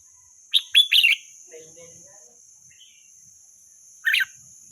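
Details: Red-whiskered bulbul in the wild: a brisk cluster of sharp chirped notes, a faint softer note after, then a single rough chirp a few seconds later, with a constant thin high whine in the background.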